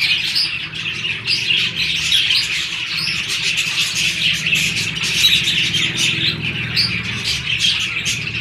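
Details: Budgerigars pairing in breeding season: a steady wall of fast chirping and warbled chatter over a low continuous hum.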